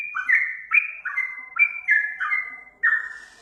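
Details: A master recording of a sooty-headed bulbul meant to prompt caged birds to reply: clear whistled two-part notes dropping then holding steady, delivered in an even sequence of roughly eight phrases, clean background.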